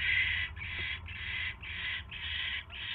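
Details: Barn owl at the nest while a mouse is delivered on a January 2016 evening; six long, harsh, breathy hisses follow one another with brief gaps, roughly every half second.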